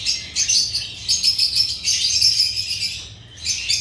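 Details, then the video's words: African lovebirds, Agapornis, chirping: a dense, shrill, high-pitched chatter of rapid overlapping tweets, nearly continuous for several seconds with a brief lull near the end before the chirping picks up again. "Agapornis lovebirds chirping sounds"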